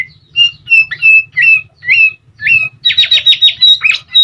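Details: A sooty-headed bulbul singing, meant to prompt other birds to answer and to bring canaries into breeding condition. Spaced upslurred whistles give way to a fast trill of high notes, over a persistent low hum.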